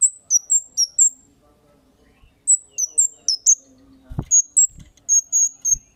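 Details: Sharp 'cit' calls of a Kemade, used as a lure to draw replies from other birds: high, short, descending chirps in brisk bursts of four to six notes with brief pauses and a couple of soft low knocks.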